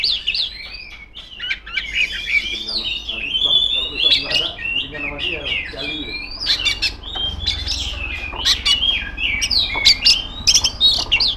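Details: Female magpie-robin in full, loud song directed at rivals: a continuous stream of varied whistles, slurred glides and scratchy notes, broken by sharp clicking sounds.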